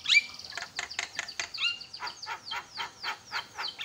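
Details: Javan myna calling loudly to stir other mynas into calling: a rapid series of rhythmic downward-sweeping harsh notes, about three per second, after a few sharp whistled chips.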